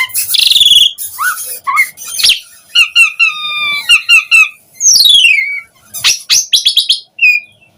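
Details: Asian pied starling in full song, meant to coax other starlings into singing: a rich mix of harsh bursts, trilled rattles, a long falling whistle and scattered squeaky notes.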